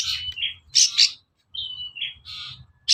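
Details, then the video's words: Long-tailed shrike song for provoking other birds to reply: drawn-out whistled tones alternate with loud, rough, noisy bursts, with a silent gap of about a third of a second midway. "SUARA PANCINGAN BURUNG CENDET AGAR EMOSI & NYAUT GACOR"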